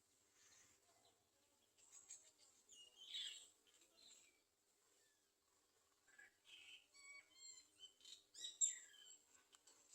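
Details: Olive-backed sunbird clinging to the nest to feed its young gives thin, high chips and short sweet twitters in scattered bursts, busier toward the end, over a faint steady background hiss.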